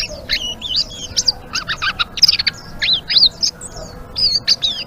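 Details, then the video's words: Blue-winged leafbird sings lively 'ngeriwik' phrases, sharp high chips alternating with looping downward-and-upward whistles, in short clusters separated by brief gaps. "Suara Burung Selendang Biru Gacor❗❗ Ngeriwik"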